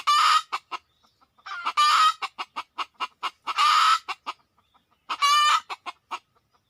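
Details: Red junglefowl during a luring session, birds arriving within two minutes: series of sharp, short clucks broken by three loud, harsh rasping squawks, each about half a second long, in a quiet setting.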